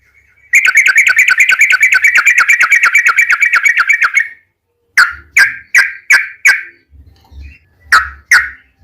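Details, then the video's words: A long rapid trill, the ropel panjang style of yellow-vented bulbul used as a lure, runs unbroken for about four seconds, followed by a handful of separate sharp chipping notes with short gaps. "trucukan gacor ROPEL PANJANG buat pancingan trucukan agar bunyi"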